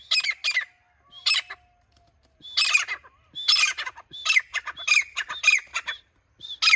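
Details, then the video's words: Grey francolin, known locally as grey teetar, giving loud harsh squawking notes in irregular groups separated by brief silences, each note broad and rasping. "Grey teetar bird"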